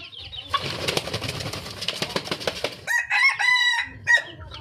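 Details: Red junglefowl calling for a mate: about three seconds of broadband rustling noise, then a loud, harmonic, crow-like call lasting roughly a second, followed by one short, sharp final note.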